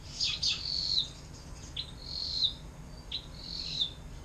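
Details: Atlantic canary with long fountain-style song used to train other songbirds; quieter passage of high whistled slurs and short downward chirps, spaced irregularly.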